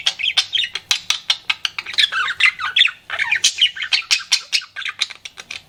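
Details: Budgie kept as a pet, flirting: a steady stream of sharp, evenly spaced chirps, about four or five per second, mixed with squeaky warbled phrases.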